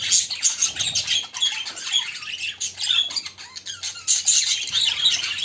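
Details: Pet budgerigars, including a white one said to be looking for a mate, give dense, continuous warbling chatter with quick squawks and high chirps overlapping throughout, with faint low hum beneath.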